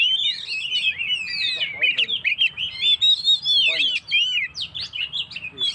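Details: Lively Oriental magpie-robin singing, meant to stir up stressed birds: a continuous stream of rich, twisting whistles and rapid warbles, with some lower harsh notes mixed in.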